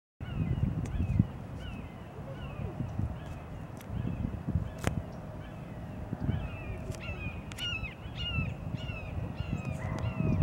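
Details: Red-shouldered Hawk on 8 February 2023 giving a quick series of harsh, downslurred kee-ah screams, most in the latter half, over a steady low rumble of wind or distant traffic.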